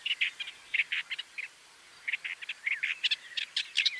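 Woodchat shrike giving a rapid run of harsh, chattering notes in two bursts, mixed with brief squeaky whistles, all high-pitched against a quiet background.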